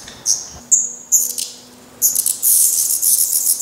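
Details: Black redstart fledglings at a nest in Portugal, with some down still on their heads, still fed by parents after first flight attempts: thin high whistled notes, then a burst of hissy, rasping begging from about halfway through.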